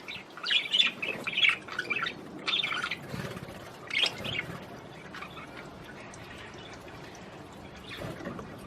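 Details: Australian budgerigars singing to encourage mating: fast scratchy chattering warble with squeaky clicks, bursts of busy chatter over the first four seconds, then only soft sporadic notes.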